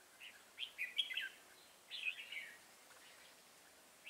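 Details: Red-whiskered bulbul singing during the trapping of an old wild bird on 24 September 2018: two bursts of bright, chattering, warbled notes, each about half a second long, a pause between them, and a short note at the end over faint background hiss.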